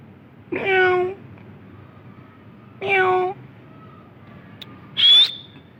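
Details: Green ringneck parakeet talking: two drawn-out, voice-like nasal syllables about two seconds apart, then a sharp, high whistled note that rises at the end. Faint background hum between utterances.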